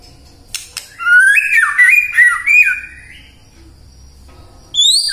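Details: White-rumped shama singing, in a recording meant to prompt birds to sing morning, midday and afternoon; a rich run of rising and falling whistled phrases for two seconds, then quiet, then a high bright note.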